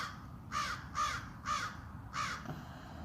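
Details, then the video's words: Crow in a backyard giving a warning call; four harsh caws spaced about half a second apart, with low background rumble and a person nearby quietly hushing a rescued blue jay. "you can hear a crow in the backyard actually give a warning call."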